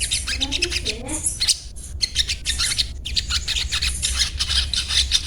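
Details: Crimson sunbird, locally sogon, giving a ngriwik song: fast, shrill, buzzy twitters run together in long streams with brief breaks, a few lower squeaky notes near the start, and a constant low hum beneath.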